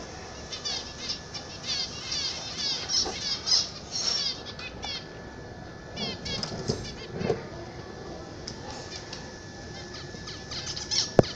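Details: Zebra finches kept at home, singing bursts of fast nasal, buzzy chirps that are strongest early on and fade to scattered notes, with occasional low knocks.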